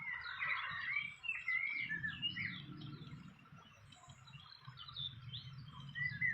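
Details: Fantail calling at a nest in the wild: a quick run of bright whistled notes and chirps, pausing, then resuming faintly. A low rumbling hum lies beneath.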